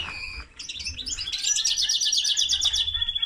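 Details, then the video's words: Song of a common linnet crossed with a canary: a brief whistled note, then a fast rattling trill of clipped high syllables ending in a long, even, steady high tone. "Mixto de pardillo y canaria - هجين طائر التفاحي مع الكنار"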